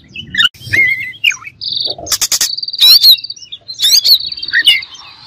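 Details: Oriental magpie-robin singing a song meant to agitate rival birds: varied loud whistled phrases and sharp slurred notes around the upper-middle range, with buzzy rasping bursts and long steady whistles, alternating quickly over five seconds.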